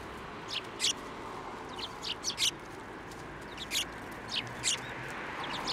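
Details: Sparrows at a Tenmangu shrine flying onto a hand to be fed, 16 December 2023; short high chirps in loose bursts, about ten spaced through the clip, over steady outdoor background noise.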